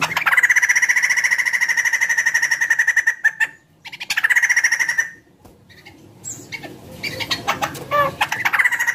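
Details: White-crested laughingthrush song used to get other birds singing: a long harsh rattling phrase of about three seconds, a shorter repeat, then quieter chattering notes.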